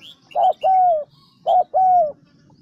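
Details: Decoy spotted dove from Vietnam's Central Highlands cooing twice: each phrase is a short low coo followed by a longer, slightly falling croo, with faint high chirps from small birds behind.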